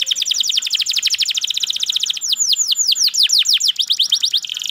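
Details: Canary singing a dense, fast trill of high chirps, followed by louder, slower downward-swept whistled notes and a closing buzz.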